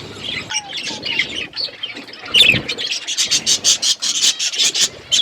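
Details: Budgies chirping as they eat: scattered warbled notes at first, then a fast run of sharp, evenly spaced high chirps in the last half, with light background noise.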